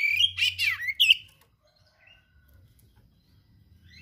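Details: Oriental magpie-robin (kacer) singing, full of rare learned material: about a second of rich, rapid, slurred warbling with a sharp final whistle, followed by near silence with faint distant chirps.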